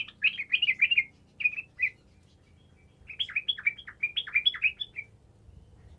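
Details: An actively singing (gacor) yellow-vented bulbul, used as a lure to prompt quiet bulbuls to answer, sings two bursts of bubbly, liquid, quick, jumbled chortling notes with a brief pause between them, over a faint low hum.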